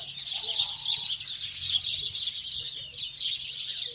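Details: Sparrows singing together in a dense, continuous chorus of high twittering chirps with no pauses, over a faint low hum.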